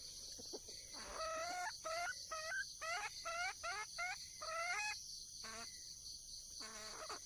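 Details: Wild junglefowl hen calling out to attract a male: a lively run of short harmonic notes that slide upward, then a few lower, isolated calls near the end, over a steady shrill insect chorus.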